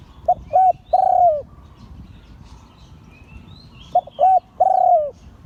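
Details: Spotted dove, an auspicious-line bird, crowing in the Liu Tan style. Two identical phrases about three seconds apart, each a short note, a rounded coo and a long downward-bending final coo, with a quiet interval between.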